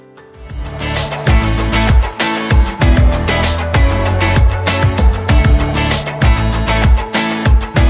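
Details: Lively plucked-guitar Latin music with strong rhythmic bass and percussion throughout, no animal voices heard.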